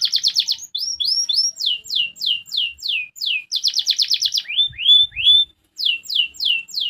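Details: Canary song said to make competing birds answer quickly: quick trills and chains of high downward-slurred whistles, a dense rapid rattle midway, two rising whistles, then further falling sweeps; a few faint thumps.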